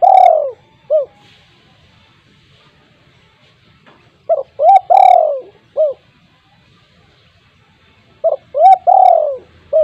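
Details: Spotted dove at home, calling to make mute doves sing along: repeated phrases of short rising coos, a long falling coo and a brief closing note, about every four seconds, clear against a quiet background.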